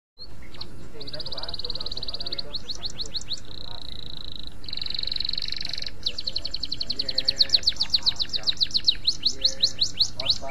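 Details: Canary master song: a long run of high, rapid trills and rolling tours, switching phrases every second or so and ending in fast sweeping notes, over a steady low hum.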